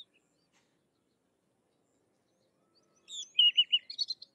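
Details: After about three seconds of quiet, a Sykes's lark gives a softer burst of song: a few high notes, then a run of looping, buzzy chirps and a short high trill.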